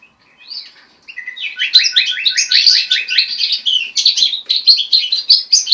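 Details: Hybrid of goldfinch and linnet singing: after a soft opening note, a rapid run of repeated descending trilled notes builds into bright twittering phrases with sharp high chips.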